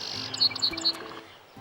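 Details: Song Sparrow in northeastern North America in mid June, singing in the open, probably territorial: a few short, bright, high notes in quick succession over a faint low hum.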